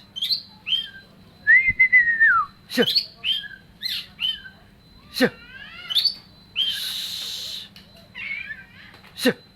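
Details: Oriental magpie-robin singing a varied song of clear whistles, a long falling slurred note, sharp clicks and a harsh rasping burst, delivered in uneven spaced phrases.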